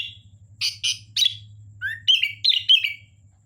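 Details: Sooty-headed bulbul in lively song: a few harsh chirps, then an upslurred whistle leading into quick warbling phrases, with a constant low mechanical hum underneath.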